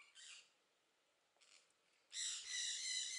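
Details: A Southern screamer (Chauna torquata) at the bird garden at Upie, Drôme, France, gives harsh, squawking calls: two short blasts, then a longer, loud, strained honking note lasting about a second.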